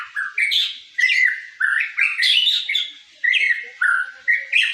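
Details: Caged young white-rumped shama singing while bowing: short bright whistled phrases, each rising then dropping, repeated roughly every half second with brief pauses, clear and loud throughout.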